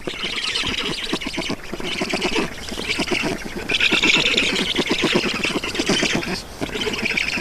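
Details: Feeding at a black stork nest in Estonia, afternoon of 7 June 2019: steady, raspy, rapidly pulsed calling with a hoarse, nasal tone, swelling louder near the middle and continuing without a break.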